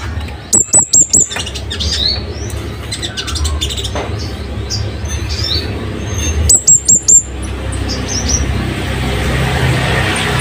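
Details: Scarlet-headed flowerpecker, known locally as cabean bunga api, singing loud, sharp wild-style song used as a master recording for training caged birds: two bursts of very high, thin, rapid ticking notes with faint sweeping whistles between, over steady low background hum.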